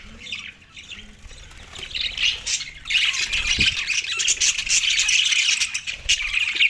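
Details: Australian budgerigars feeding on soft food on December 4, 2023. The chatter starts fairly quiet, then from about three seconds swells into a loud, steady wash of overlapping buzzy chirps and squawks.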